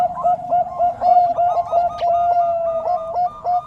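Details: Several Bangkok-type zebra doves in overlapping song, a dense chain of quick cooing notes with no clear gaps, one rhythm layered over another.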